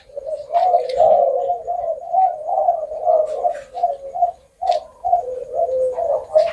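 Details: Spotted dove cooing, its song ending in nine to ten notes or more; steady low, round notes repeat in a series, broken by a short silence before the phrase resumes.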